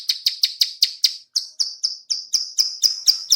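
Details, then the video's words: A female bar-winged prinia utters sharp clicking notes as a lure call, fast dry ticks at first, then slightly longer, thinner whistled ticks, steadily repeated about four times a second. "suara klik- klik betina/ciblek sawah cocok untuk pancingan ombyokan/ macetan jamin langsung nyaut"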